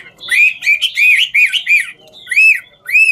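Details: Chinese hwamei in "ngũ trường" song, dancing as it sings; a string of rich, ringing, arched whistles about four per second, a pause, then two slower upswept notes.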